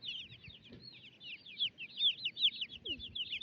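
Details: Baby chicks roaming about on a homestead alongside young turkeys, giving a dense, continuous chorus of high, bright chirps, many overlapping short upslurred and downslurred peeps from several birds, with faint low rustling beneath.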